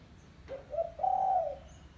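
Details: Call of a spotted dove, the kind used to lure doves: a soft short coo, a second note, then a sustained mellow hoot lasting about half a second.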